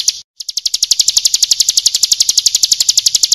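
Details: Bar-winged prinia, known locally as ciblek kristal, singing a training song for cage birds: after a brief gap, a long, fast, even trill of high, bright chirping notes that runs steadily to the end.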